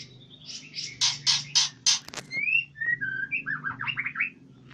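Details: Caged white-rumped shama at a breeding farm in Palembang gives a run of rasping buzzy notes followed by sliding whistles and a quick warbled flourish, with a constant low droning hum underneath.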